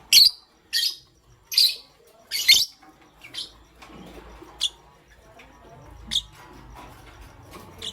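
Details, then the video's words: Pastel gray lovebird alongside a green one, morning: four loud, piercing chirps at about one per second, then fainter, sparser high chirps trailing off over a faint low rumble. "Pastel Gray LoveBird Chirping Sound"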